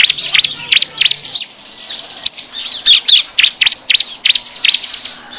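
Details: Bar-winged prinia lure recording meant to draw wild birds in: a busy run of sharp, high chirps and short buzzy notes in quick bursts, several per second, with no other sounds.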